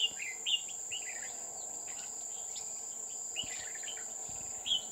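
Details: Decoy red-whiskered bulbul singing during trapping at Núi An Phú near Chùa Hương, Vietnam, 20 October 2019. Quick slurred chirps come in clusters, the clearest at the start, against constant shrill cricket buzzing.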